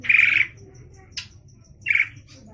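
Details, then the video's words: Two loud, harsh squawks about one and a half seconds apart from a chatty Javan pied starling of Java, with a faint click between them and a steady low hum behind. "Burung Jalak Suren Jawa Suaranya Rewel bawel banget"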